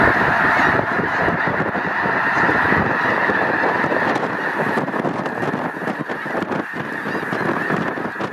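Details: Snow Geese in their hundreds of thousands at Loess Bluffs refuge, 21 February 2020, on a beautiful day. Constant clamour of countless honking geese, briefly louder at the start, then a slightly uneven but unceasing chorus.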